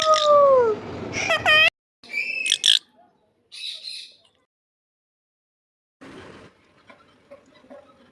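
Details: Talking parrot: two clear falling whistles, then loud harsh harmonic squawks in quick bursts, a short raspy call near the fourth second, silence, and faint scratchy chatter at the end.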